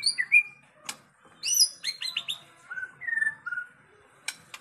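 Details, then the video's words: White-rumped shama song played as masteran to make murai batu sing eagerly. Rapid high descending notes lead into mellow, drawn-out whistles, with scattered sharp clicks. "murai batu AKAN EMOSI dan IKUT GACOR dengan masteraan murai batu ini"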